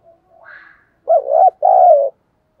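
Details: Spotted dove used as a decoy for wild doves, low-voiced: a faint soft note, then a hooked coo phrase and one long steady coo, quiet otherwise.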